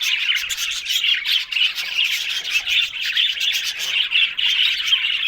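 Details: Several budgerigars keep up a steady stream of scratchy, twittering chatter, fast overlapping chirps and warbled squeaks without pause.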